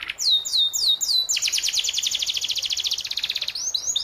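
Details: Training song from a canary for young birds in moult: four downslurred whistles, then a long fast rattling trill, closing with rising whistled slurs.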